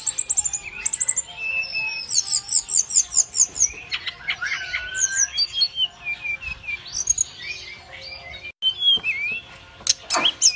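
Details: Brown-chested jungle flycatcher calling toward other birds, giving high rapid trills, quick chirps and looping slurred whistles in a busy series, then a short pause before sharper rising notes.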